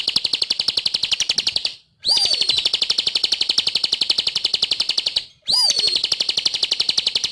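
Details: Vigorous, machine-like chirping from a Bar-winged prinia, high notes about four per second, twice paused and restarted with a sliding, falling slur.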